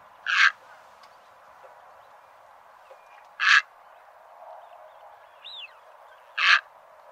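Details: Egret croaks used as a lure for bird trapping: three short, loud, rough squawks spaced about three seconds apart, with a faint thin chirp between them and light hiss.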